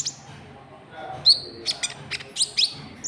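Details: White-cheeked bulbul lure call meant to draw in rival birds, with sharp high whistled notes and brief clicking bursts in an uneven sequence, faint low hum beneath.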